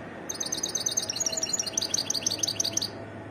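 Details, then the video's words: A European goldfinch sings a rapid, continuous stream of high, tinkling twitter notes, about three per second, evenly spaced for nearly three seconds, bright and liquid, against faint background noise. "تغريد حسون متنوع"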